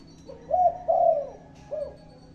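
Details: Spotted dove giving a low cooing phrase: a short lead-in note, two drawn-out hollow coos, then a brief closing coo after a pause.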